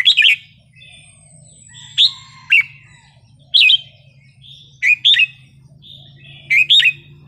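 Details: Red-whiskered bulbul wild-style song, played to make birds lively: clear whistled notes given singly or in pairs every second or two, sliding down in pitch, with gentle chatter between and a faint low hum.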